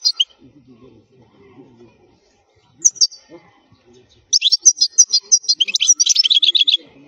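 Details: European goldfinch singing, offered as a teaching song for young goldfinches: a short high chirp, another brief note, then a lively three-second run of rapid tinkling, buzzy twitters, with faint low rustles between.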